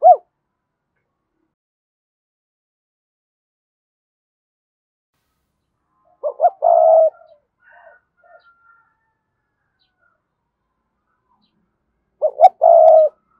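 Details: Cườm Sa spotted dove cooing to attract wild doves. Two low coo phrases, each a quick pair of notes and a longer buzzy coo, come about six seconds apart between long silences.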